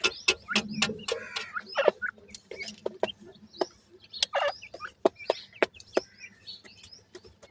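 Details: Francolin (teetar) chicks being raised in captivity while feeding. Several high, thin peeps slide downward, scattered among sharp pecking clicks and taps throughout.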